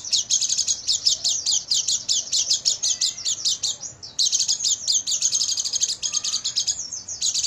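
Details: Oriental white-eye singing at night in a master recording meant to train caged birds: a loud, continuous, rapid chattering twitter of high, scratchy notes, broken by one brief pause near the middle.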